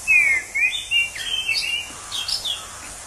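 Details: In the wild, an orange-headed thrush sings a loud falling whistle followed by varied slurred and warbling notes, growing softer toward the end, over a background hiss of insects.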